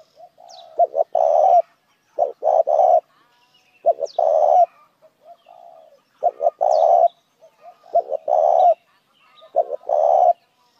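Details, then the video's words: Repeated luring call of a spotted dove for other doves: about six phrases of stuttering short coos ending in a longer gravelly coo, spaced roughly every one and a half seconds, with faint soft notes between. "tiếng chim cu gáy kích mồi"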